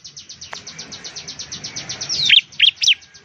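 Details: Ciblek, or bar-winged prinia, giving a steady rapid train of thin high ticks, about four a second, then three loud, sharp downward-slurred whistles near the end.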